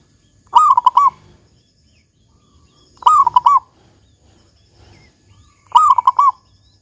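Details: Local zebra dove singing the big 'kung' song meant to coax other zebra doves into voice: three clear, bubbling, trilled coo phrases spaced about 2.5 seconds apart over a quiet background.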